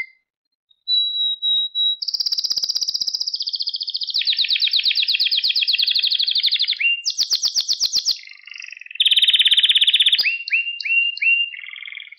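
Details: Canary song played to train a pet canary: a thin whistle, then long rolling high trills, a buzzy rattle, a very high trill and a run of short repeated chirps, delivered almost continuously.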